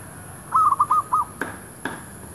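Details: Single zebra dove coo phrase from a decoy bird luring wild doves near shops: five quick rolling notes followed by two sharp clicks.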